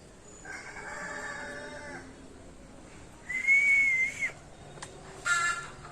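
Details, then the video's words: Ringneck parrots: a nasal, buzzy harmonic call lasting over a second, then a clear, loud, level whistle of about a second, and a short sharp note after it, with faint background hiss. "Ringneck parrots"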